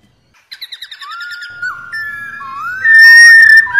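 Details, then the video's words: Female white-cheeked laughingthrush giving rò calls used to stimulate male pet birds to sing: a rapid burst of pulsed notes, then long clear whistles sliding up and down, ending in a loud sustained whistle. "KHƯỚU MÁI RO QUÁ ĐỈNH. Kích Trống Hót Căng Hót Hay | KHƯỚU MÁI Rò rò nghe là hót"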